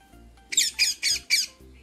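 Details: A tropical rainforest parrot gives four harsh, raspy squawks in quick succession, about four per second, with a faint low hum underneath.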